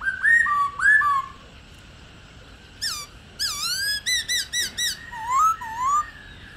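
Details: A wild-type female Black-throated laughingthrush (Pterorhinus chinensis) calls, used to stimulate captive males to sing: clear, slurred whistles in short bursts, first paired notes and then a quick run of rising-and-falling whistles, with no other sounds.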